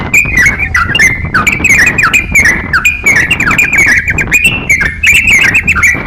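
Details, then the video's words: Lively crocok-cokan song meant as training material for other songbirds: a fast, unbroken stream of sharp chirps and slurred whistles, jumpy and irregular, over steady low background noise. "crokcokan gacor siap jadikan masteran kicauan"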